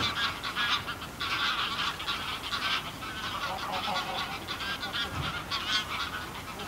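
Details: Greylag geese in a small flock give close flight calls, then calls from the flock on the ground: loud, overlapping nasal honks and cackles, a continuous clamour with no pauses and no other sounds.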